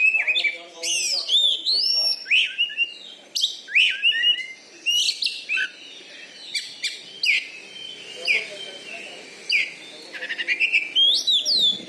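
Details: Caged champion Oriental magpie-robin (kacer) from Bengkulu, kept for song contests and noted for a loud voice and fighting style. Rich, varied song of sharp whistles, sweeping rising and falling notes and quick chattering bursts delivered in rapid phrases.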